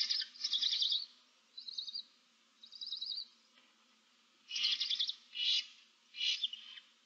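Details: Barn owlets, seven young in an alpine nest box in March 2024, give harsh broadband hissing screeches in bursts of about half a second to a second, repeated irregularly, with a faint low hum underneath.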